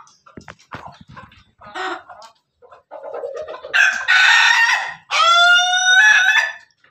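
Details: Laughing chicken (ayam ketawa) rooster crowing. Soft clucks and short notes lead into two long, loud crows, the second a rich, evenly held cry lasting over a second.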